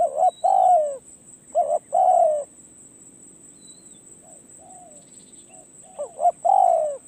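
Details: Spotted dove, a decoy bird out on a perch for experience, gives three low coo phrases of a short note and a long descending coo, with fainter answering coos in the gap and a thin constant whine.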